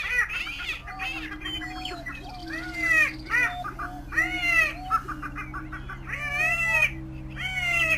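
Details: Several greater prairie chickens call together, giving dense, repeated arching whoops and excited cackles in bursts every second or so, with a low hum underneath.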